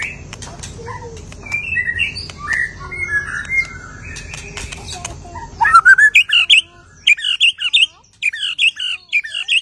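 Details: White-rumped shama singing after its moult, a varied run of whistled slurred notes and sharp clicks, turning in the second half to loud rapid chattering phrases with brief pauses between bursts.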